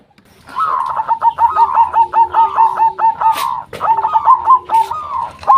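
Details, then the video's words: Local zebra dove calling as a lure to make other doves answer: dense runs of short, clipped cooing notes repeated rapidly at a steady mid pitch, with a brief pause mid-clip before the series resumes. "Perkutut Lokal Gacor RAJA PIKAT Ahlinya Bikin Semua Burung Perkutut Pada Nyaut"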